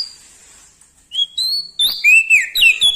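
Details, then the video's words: Lombok bar-winged prinia, described as loud and in full song with a champion's temperament: a thin high whistle, then a rapid run of loud, sharp, downslurred whistled notes that fall in pitch and tumble together. "Prenjak Daun Lombok gacor Mental Juara Nempel Sama Burung Besar Suara Nyaring"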